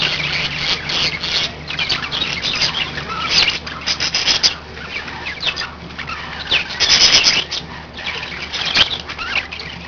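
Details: Group of pet budgies warbling continuously, high scratchy twitters and squeaky notes in bursts, loudest near seven seconds, with a constant low hum in the background.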